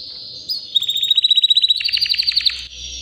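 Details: Song of a white canary, about three years old: a steady note leads into a rapid rattling trill that speeds up and rises slightly, roughly four pulses a second blending into a dense chatter before ending.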